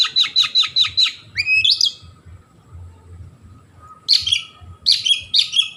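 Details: Oriental magpie-robin song meant to make other magpie-robins pounce: a quick series of sharp chirps, then rising whistled slurs, a short pause, and scratchy, varied high phrases, with a faint low hum beneath.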